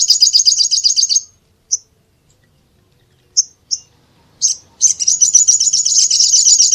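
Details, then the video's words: Little spiderhunter call sequence: a short rapid burst of shrill high notes, a few lone chips spaced over several seconds, then a longer, louder run of quick repeated notes at the end. "SUARA BURUNG SOGOK ONTONG"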